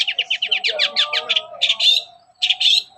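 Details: Morning singing of a long-tailed shrike, used as a lure for other shrikes: a rapid stuttering trill of ticking notes, then two harsh rasping bursts, over a faint steady tone.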